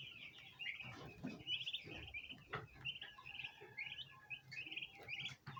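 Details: A group of domestic bronze turkey poults, gathered to try feeding on ornamental plants in a basin, gives rapid, high-pitched chirps in clusters, mixed with soft clicks and taps.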